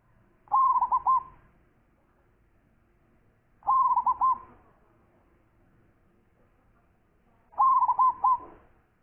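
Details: Zebra dove, known locally as perkutut, singing in a quiet setting: three bubbling cooing phrases spaced about three and a half seconds apart, each a quick stutter of soft notes ending in a drawn-out coo.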